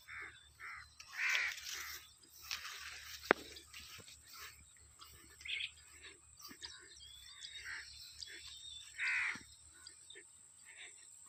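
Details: Birds chirping in a village's natural surroundings in summer: short, bright chirps spaced irregularly several seconds apart over a steady faint hiss, with occasional soft clicks and rustles.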